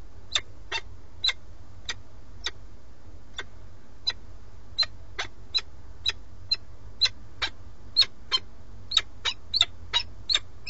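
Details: Male peregrine falcon at a nest in Alcalá de Henares, Madrid, Spain, on a live webcam, calling the female after bringing a starling as prey. About two dozen short, harsh, clipped notes in roughly eleven seconds at an uneven pace, over a low steady hum.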